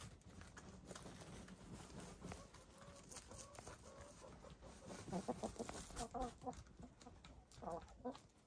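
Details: Domestic hens in gray, lavender, blue and black plumage taking a dust bath. Low scratching and rustling fill the first half, then a run of soft, tonal clucks rises in a quick, uneven series toward the end.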